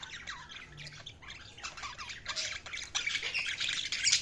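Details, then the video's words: Dense overlapping twitter and squawks of several budgies, a continuous busy chatter that builds louder toward the end over steady background noise. "budgies chirping sounds"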